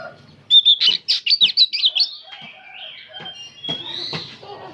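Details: Old oriental magpie-robin singing without pause in the rapid 'nyerecet' style: a loud burst of about a dozen quick, sharp, high chattering notes, then softer drawn-out whistles with faint harmonic calls behind.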